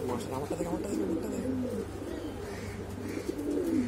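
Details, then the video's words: Exhibition Homer and Shiraji pigeons cooing in their boom call, short gurgling phrases that wobble up and down, with a low continuous hum and some indistinct background noise. "Exibition Homer and Shiraji pigeon boom call"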